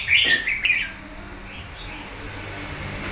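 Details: Wild-caught red-whiskered bulbul, newly kept in a cage for about a month, gives a brief burst of bright, chattering chirps in its first second, then falls quiet over a low background hum.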